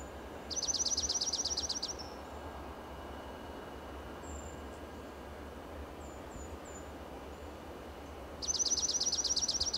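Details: A Dark-eyed junco perched atop a dead Monterey pine trunk in Del Monte Forest, California, sings two fast, high, even trills about seven seconds apart, with faint chips between them over a low rumble of distant traffic.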